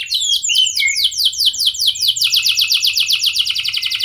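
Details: Lively canary song played to make other canaries reply: a few slurred whistles followed by a fast run of repeated downward-sweeping notes, about two and a half per second.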